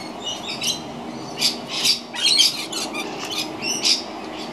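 Scaly-breasted lorikeets give harsh, high screeches and squeaky chatter in short repeated bursts, several birds calling over one another.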